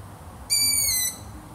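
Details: Brief, piercing, squeaky call of a long-eared owl, a steady high whine of about half a second that dips slightly at the end, with a quiet background.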